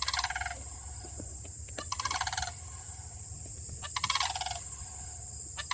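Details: Two sandhill cranes in Michigan stand apart and call loudly to one another. Harsh rolling rattles sound in repeated bursts, with quieter pulses between them and a steady high hiss behind.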